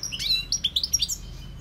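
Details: European goldfinch song: a brisk, short series of bright, tinkling chirps and quick upslurred twitters, high-pitched and closely spaced, over a faint low hum.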